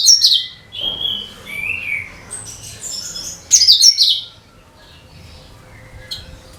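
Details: Song of the cucak kinoi bulbul, used to lure other birds. Opens with sharp high notes and a rising whistle, followed by a loud scratchy trill, then near quiet.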